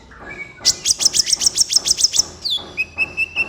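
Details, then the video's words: Energetic kolibri ninja sunbird song recorded as a master for training caged birds and coaxing lazy singers: a quick, steady burst of about ten piercing high chips, then a falling whistle and a few thin repeated notes. "MASTERAN BURUNG KOLIBRI NINJA GACOR COCOK BUAT PANCINGAN KOLIBRI NINJA MALAS BUNYI"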